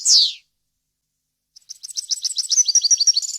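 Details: European goldfinch song for teaching fledglings: a single harsh downward buzz, a pause of over a second, then an accelerating series of high chirps building into a rhythmic twittering trill.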